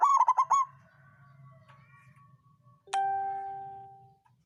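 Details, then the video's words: Local zebra dove of songgo ratu style singing a lure phrase to raise rivals' urge to sing: a rapid run of pulsed throaty coos trailing into a thin tone, then a clear ringing, bell-like ding. "Perkutut lokal songgo ratu suara pancingan naikan birahi lawan ampuh buat terapi burung malas bunyi"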